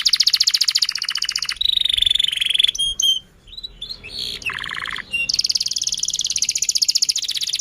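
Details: Singing canary used to lure other canaries and coach young birds: a rapid high trill, a lower buzzy stretch, brief scattered chattering and a lower buzzy phrase, then the fast trill resumes.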